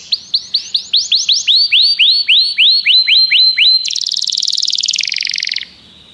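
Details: Series of upswept chirping whistles about four per second, followed by a dense buzzy high trill lasting nearly two seconds; song of a common canary.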